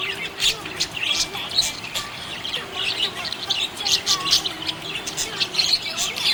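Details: Happy budgies chattering nonstop, a busy stream of high twittering chirps and brief squeaks with faint lower whistled tones underneath and a trace of music or voices.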